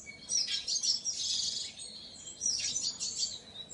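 A painted bunting sings two quick, high, sweet warbled phrases, each lasting well over a second, over faint background hiss.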